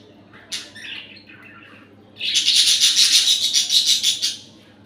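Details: Pet budgerigar giving a brief chirp, then a sustained, rapid, buzzy warbling chatter.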